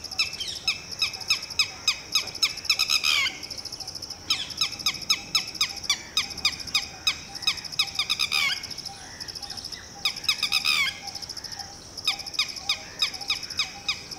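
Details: Alarm calling of a Red-wattled Lapwing (titehri) telling its newly hatched chick to run and hide: repeated runs of sharp, ringing notes, each run ending in a rapid rattling flurry, over a steady high buzz.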